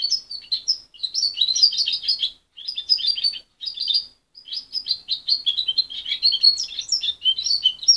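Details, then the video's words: Still-learning young goldfinch cross, reared by its mother and separated at 23 days, gives choppy high twittering phrases, several short bursts broken by gaps, then a longer flowing run of chirps and trills. "Mixto de jilguero joven"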